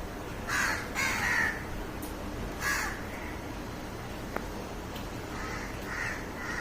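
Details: Village crows in a jamun tree, loud harsh caws in short bursts of two or three, then quieter distant caws answering, with a sharp click midway.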